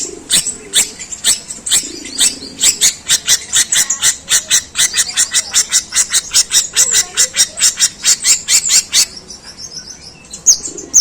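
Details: Rapid, harsh sparrow-like chirping from a long-tailed shrike in its long, rough imitation song: sharp high notes repeated two to three per second for about nine seconds, then a softer thin whistle.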